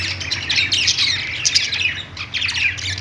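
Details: A short burst of budgerigar chatter from birds on a perch in a pet store: scratchy chirps and warbles crowding together, easing slightly midway.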